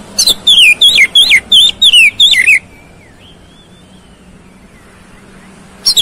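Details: Oriental magpie-robin (kacer) song to provoke a quick fighting response: a rapid run of about seven loud, clear whistled notes, each sliding downward, lasting two and a half seconds, then quiet with a soft distant whistle.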